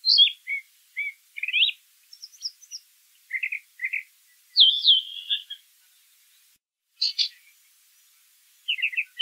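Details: Brown thrasher song in nature, with varied phrases separated by short gaps: high slurs, doubled low chirps, a long descending buzzy run, and a final paired rasp.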